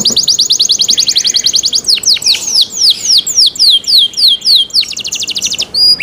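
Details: Canary delivering cenkok-style song: a dense rapid trill of short high notes, then repeated swooping whistles, each falling then rising, another quick trill, and a brief clear note at the end.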